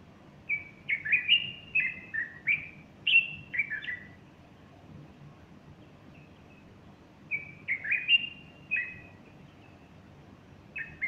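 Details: On the morning of Sunday 30 August 2015, a bulbul sings with a female standing close and fluffing her plumage. Bubbly whistled phrases tumble in quick runs of several notes, then a soft pause before another lively burst.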